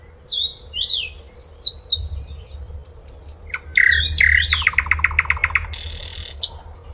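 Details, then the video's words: Sikatan londo flycatcher in a melodious contest-training song: varied high whistled phrases, loud slurred notes, a fast series of rhythmic chips, then a brief harsh buzzing rattle and a final whistle. "Kicauan Sikatan Londo merdu dan khas"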